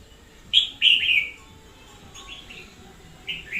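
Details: Decoy red-whiskered bulbul in energetic song, 2021: a loud pair of bubbling, downward-slurred notes, then softer, quicker echoing phrases and a final double note, against a faint steady background.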